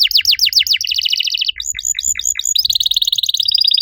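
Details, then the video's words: Master canary song meant to prompt silent canaries to sing, made of quick descending slurred notes repeated rapidly, then a fast steady trill, a series of sharp downward strokes and a high rattling roll. "MASTERAN KENARI AMPUH BUAT MANCING KENARI LAIN YANG MACET BUNYI! - CANARY SINGING"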